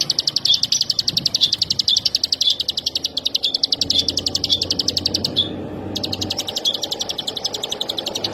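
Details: Bar-winged prinia (ciblek sawah) with a long ngebren trill of rapid, evenly spaced high pulses that pauses briefly near the middle, then resumes at the same fast pace.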